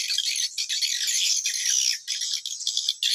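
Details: Swiftlet lure call, an original 2022 recording played to attract swiftlets into a bird house: dense, high, buzzy twittering chirps in rapid overlapping bursts, with brief dips between phrases.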